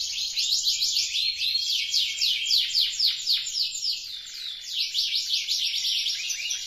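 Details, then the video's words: Several canaries singing, one in full voice and others joining: dense, unbroken high warbling built from fast rolling trills and repeated downward-slurred notes, with a short dip before the rapid phrases resume. "Kicau Merdu Kenari Gacor, Kenari lain Jadi ikut Bunyi."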